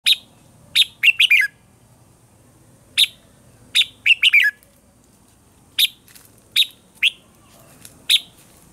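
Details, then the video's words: A red-whiskered bulbul, recorded as a bright, mature wild-type voice for training birds, gives short bright chirping phrases, some quick doubled or tripled notes, in bursts every second or two against a quiet background. "chào mào hót sáng, chào mào hót giọng già rừng"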